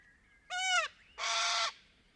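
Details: Little corella recorded in Paroo-Darling National Park in Australia's outback: one loud wavering arched call followed by a longer raucous, harsh broadband screech, each under a second.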